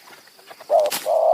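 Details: Spotted Dove cooing during a decoy session in high mountain forest, with two wild birds said to be close by; two steady, low, hollow coo notes, the second held longer after a short break, with faint background hiss.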